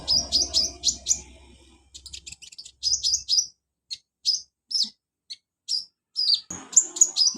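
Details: Kolibri ninja sunbird, kept caged, singing as stimulation for a silent bird: quick clusters of high downslurred notes, then spaced single sharp chips and a closing twittering flourish.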